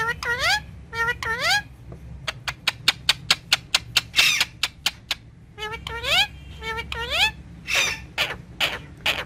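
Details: Green ringneck parrot speaking Urdu and Hindi words at its mirror; groups of upward-swooping, nasal talking syllables alternate with a rapid series of dry clicks at the centre, then more chattering phrases.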